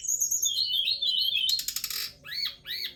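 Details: Forktail, tledekan gunung, singing a quick wavering warble that ends in a harsh rattling burst followed by two arched, falling chirps.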